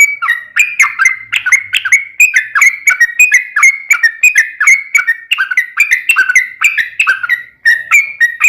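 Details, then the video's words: Long rolling song of a sooty-headed bulbul, played to draw other bulbuls into singing: rapid stream of short bubbly whistled notes, each slurring downward, continuing for the whole stretch with one brief dip near the end. "trucukan ropel panjang buat PANCINGAN TRUCUKAN agar bunyi"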